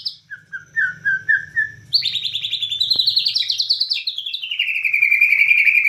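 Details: Bornean white-rumped shama singing actively in the nembak cililin style: a few soft descending whistled notes, then a fast rattling run of bright, buzzy notes that climbs higher and steadily speeds up.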